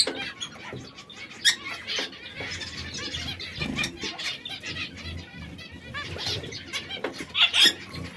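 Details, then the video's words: Warbling trills and chirps come from three canaries of different colours, red, yellow and brown, that now and then squabble. A loud sharp note breaks in near the start and another near the end. "Tre canarini tre colori diversi."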